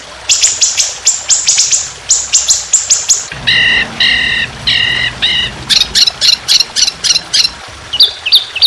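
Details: Trotolan songbird delivering long, rough, continuous 'tembakan' song for bird training: dense high ticking runs, then spaced harmonic nasal notes, then bright rapid chips and short whistles.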